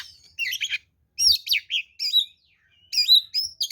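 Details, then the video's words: Kacer, the oriental magpie-robin, singing its 'ngeplong' fighting song meant as a lure to make other birds answer: clear whistles rising and falling, mixed with rapid chattery notes in three quick groups. "SUARA BURUNG kacer gacor NGEPLONG TARUNG"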